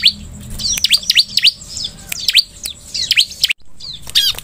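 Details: Ciblek, the bar-winged prinia, sung to coax other birds into singing: a series of bright, steeply falling whistled notes, several per second, broken by brief pauses, ending in a quick cluster of high chirps.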